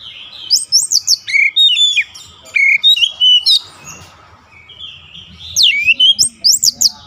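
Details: Rapid bursts of oriental magpie-robin song from a daily training recording aimed at a long rolling song: many short high whistles and slurred notes, a brief pause midway, then more quick varied phrases.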